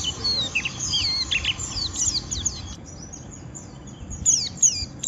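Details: White-eye giving the harsh ngeriwik style of song that provokes rivals to answer: thin, high twittering and slurred squeaks, dropping quieter midway before sharper chips return, over a faint background hiss.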